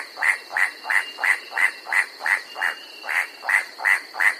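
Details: Incessant clacking of the white-striped forest rail, a mid-mountain forest rail of the Bird's Head, New Guinea: around thirteen evenly spaced, hard knocking notes roughly three a second, with a thin steady whine behind.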